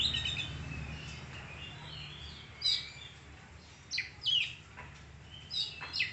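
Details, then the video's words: Oriental magpie-robin of the kacer sparko type in song: loud varied whistles and quick downward sweeping chirps high in pitch, irregular bursts with short pauses, steady low hum underneath. "Burung kacer sparko"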